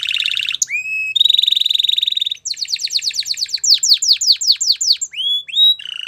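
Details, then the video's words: A canary sings a buzzy trill and a rising slur, then a long fast metallic roll. Quick series of descending whistled notes follow, ending with rising whistles and a short buzz. "Canary Bird Sounds | Melodies Canary Singing"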